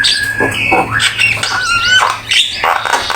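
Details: Short burst of black-winged myna master song for training: raspy chatter interwoven with clear whistled slurs, some rising, some falling, delivered quickly.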